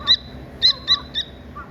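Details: A Dakni teetar partridge chick gives four loud, short, sharp chirps at irregular spacing, followed by a soft low peep, against a faint steady high tone.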